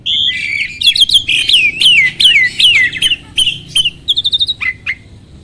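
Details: Starling song meant to stir other birds into singing: a sustained buzzy note, then repeated downslurred whistles, a quick trill of short chips and two low falling whistles.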